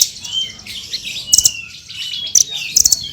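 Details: Hanging parrot (srindit) singing full gacor as tutor audio for songbirds: a soft thin wavering whistle, then three brief clusters of piercing high pips near the end.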